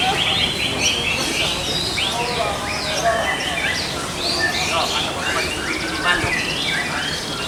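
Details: Canaries at a 2020 practice singing contest (latberan), many birds singing at once: dense, overlapping high trills, rapid chirps and warbled phrases, over a steady murmur of background noise and faint voices.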